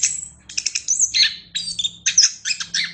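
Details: Short run of chestnut-capped thrush song, recorded for songbird training: a high thin whistle, then quick squeaky chirps and slurred notes in rapid bursts, with a faint low hum underneath.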